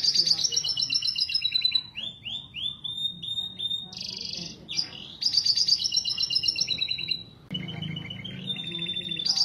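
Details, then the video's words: Canary song for encouraging mating: high trills, a run of repeated rising slurred notes, a buzzy burst, then more fast rolling trills and rattles, with a low hum beneath. "Kicauan Kenari Kawin Untuk Pancingan Mengawinkan Kenari"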